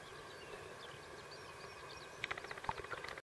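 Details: Corn bunting (Emberiza calandra) singing in the Camargue: a quick tinkling run of dry ticking notes jangling together like shaken keys, under a second long, over a low steady hum with faint distant chirps.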